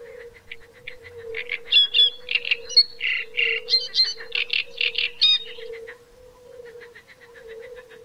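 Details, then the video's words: Great reed warbler song: loud, rasping, croaking phrases of rapid repeated units with sharp squeaky accents, easing after about six seconds into faint ticking chatter, with a constant low hum behind. "Rákosník velký (Acrocephalus arundinaceus),Drosselrohrsänger,Great reed warbler"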